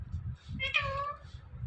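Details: Parrot speaking its word "Mithu": one brief nasal, voice-like call with a sharp start, fading after about half a second, over low rumbling indoor noise.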